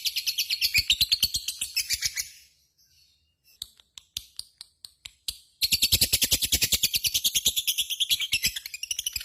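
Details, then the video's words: Captive lovebird in ngekek style, a long chattering trill: rapid harsh notes about three per second, a break with scattered clicks, then another extended bout of fast rasping notes. "SUARA BURUNG LOVEBIRD GACOR,Jago Ngekek Bikin Lovebird Apapun Langsung Ikutan Nyaut Ngekek Koekk"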